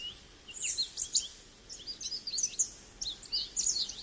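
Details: American goldfinch giving quick, high, thin twittering notes in an irregular run against a soft background hiss.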